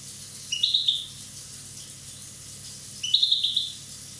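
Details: European goldfinch from Corsica, one year old, giving two brief bright twittering bursts about two and a half seconds apart, high tinkling notes with quiet pauses between.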